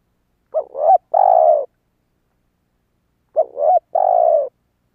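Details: Spotted dove call meant to lure wild doves: two calls about three seconds apart, each a short hooked coo followed by a longer, steady, slightly falling croon. No other sounds.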